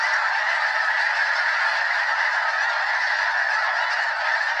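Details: Well over 200 wild snow geese in flight, circling several times over Limestone Bay at Wheeler National Wildlife Refuge, North Alabama, before landing: a dense, unbroken chorus of overlapping honks with no gaps.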